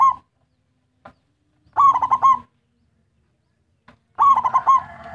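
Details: Local zebra dove in full song, meant to draw in other zebra doves: repeated short phrases of four or five rolling coo notes, the last phrase trailing into a faint sustained tone.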